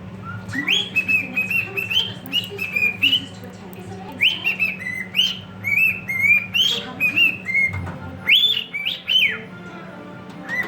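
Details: Two cockatiels whistle "If You're Happy and You Know It" together in clear, rising and falling phrases over a low hum.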